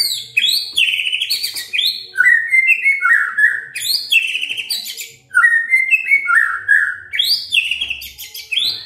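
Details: Continuous white-rumped shama song played to draw other shamas into singing: loud repeated phrases of rising whistles, descending slurred notes and harsh chatters, with little pause.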